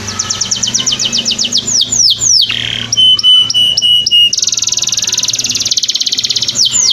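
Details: Canary training song: rapid sweeping whistles, a harsh buzz, evenly spaced flat whistled notes, then a long fast buzzy trill, with low background hum.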